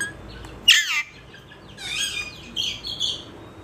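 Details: A parrot lets out one loud, descending harmonic screech, then a string of softer warbling, chattering notes at high pitch in a quiet room.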